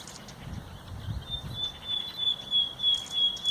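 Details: Common nightingale song recorded 30 April 2021: a long, sustained whistled note held steady for about two seconds, followed by faint high chips, over rustling background noise.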